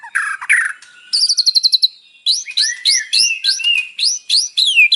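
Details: White-rumped shama (murai batu) performing filled song, a morning lure to provoke a captive bird. Harsh notes and a quick high trill are followed by a string of rising whistled notes repeated roughly twice per second.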